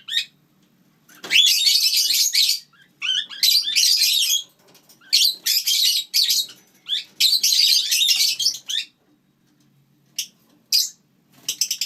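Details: Lineolated parakeet pets sharing a home with their chicks keep up a lively series of raspy, high-pitched chattering bursts, each lasting about a second, separated by short pauses, in a quiet room.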